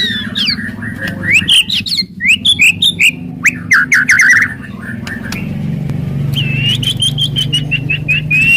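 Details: White-rumped shama singing aggressively in loud kretekan and tembakan styles meant to provoke other shamas: sliding whistles and sharp upswept notes, a rapid burst of clipped repeated notes, then a long steady run of evenly repeated whistles over a low hum.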